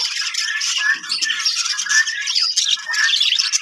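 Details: Budgerigars in a breeding colony setup, a dense continuous chatter of warbling, chirping and squawking notes from many birds at once, with no clear pauses.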